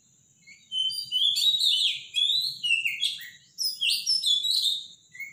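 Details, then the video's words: Robin singing loudly in the morning: rich, rapid phrases of warbling, trilling notes high in pitch, bursts separated by short pauses, with a faint steady high tone behind. "Robin song in the morning"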